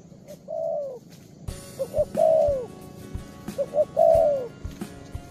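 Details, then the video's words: Spotted dove, a young bird with a set song, calling hard at the perch. Three phrases of soft lead-in notes, each ending in a longer falling coo. Clicks and rustling noises in the background. "Đồng pha cườm 2dây.Clip444/ Chim tơ có bài, đánh ngay cội quá sung"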